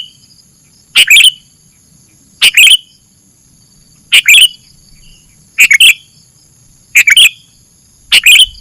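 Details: Sooty-headed bulbul recorded as a training recording for other birds, giving short bright chirpy bursts of two or three quick notes, repeated about every one and a half seconds over quiet background.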